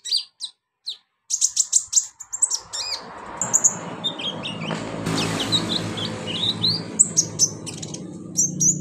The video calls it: TERAPI KONIN GACOR